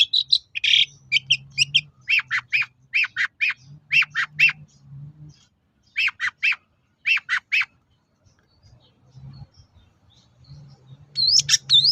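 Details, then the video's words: Long-tailed shrike singing as a lure so other shrikes respond: series of harsh, scratchy chattering notes in quick bursts, pausing between runs, with a low steady hum underneath. "SUARA BURUNG PENTET GACOR AMPUH UNTUK PANCINGAN CENDET LAIN AGAR NYAUT"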